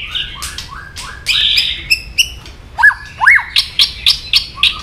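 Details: White-rumped shama singing to rouse another's emotions: loud slurred whistles and sharp clicks, then a series of high, clear repeated notes.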